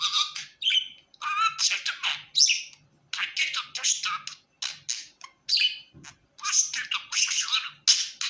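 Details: Happy pet budgerigar chirping and warbling steadily, mixing harmonic whistled notes with harsh buzzy chatter in quick bursts across eight seconds.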